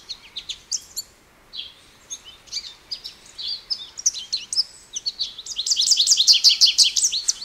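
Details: American goldfinch twitters in scattered high chirps that build into a louder, rapid series of repeated sharp notes over the last two seconds.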